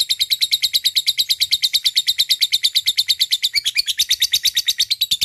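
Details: Lovebird giving a long ngekek chatter used as a lure to call a rival: a fast, steady run of sharp, high, rattling notes, about six per second, with no break and no other sounds.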